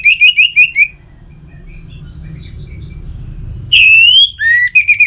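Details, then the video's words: Song of an orange-headed thrush, used as a lure to make birds sing: a quick string of repeated whistled notes, then a pause, then a long rising whistle and a further run of short notes. "Pemancing Burung ANIS MERAH Agar Selalu Gacor"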